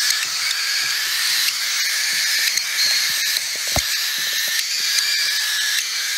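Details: Hungry cockatiel (Nymphicus hollandicus) chicks begging to be fed, several voices blending into one constant, loud, raspy, hissing wheeze.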